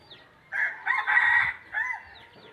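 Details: Crow of a red junglefowl: a brief opening note, then a drawn-out rasping phrase and a final downward-bending note. Faint twittering from other birds is heard before and after.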